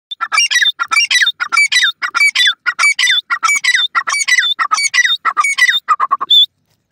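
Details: Partridge calling loudly: harsh, grating squawk-like notes in quick rhythmic bursts, about one and a half per second, repeated steadily for several seconds before stopping.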